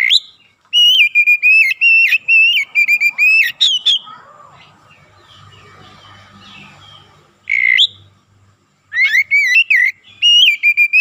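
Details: Kacer, the Oriental magpie-robin, singing 'gacor' to provoke other kacer. A long fast stream of clear whistles and chattering notes, a murmuring lull with low background hum, then a single sharp note and another rapid whistled run.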